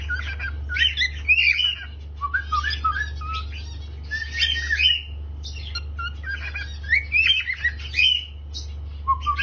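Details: Cockatiel kept as a pet, chirping and singing indoors: bursts of busy, squeaky chattering notes in three or four clusters with short pauses between, steady low hum beneath.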